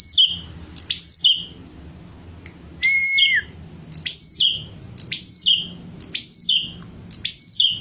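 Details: Vigorous song of a bar-winged prinia from a songbird tutor recording: bright, high, slurred phrases recurring roughly every second, with one lower drawn-out note partway through and a soft background rumble.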